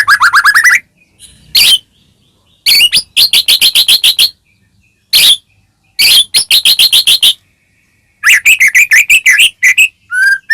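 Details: White-rumped shama singing to provoke a caged bird: a descending warble, scattered sharp high notes, clusters of rapid rattling chirps and a slurred whistled phrase near the close.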